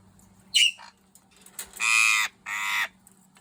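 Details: A hungry Eclectus parrot gives a brief squawk, then two long, harsh, raspy screeches about half a second apart, indoors with a faint background hum.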